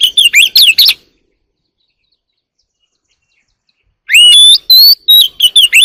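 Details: Wild Oriental magpie-robin sings in the early morning, pouring out fast chips and bright whistled slurs in a one-second burst, falling silent for three seconds, then resuming with a richer run of clear rising whistles.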